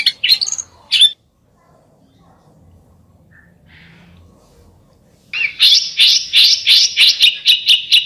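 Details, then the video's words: Besetan-style bird song: a few sharp chirps, a long quiet gap, then a loud run of harsh, buzzy notes repeated about twice a second. "SUARA BURUNG BESETAN"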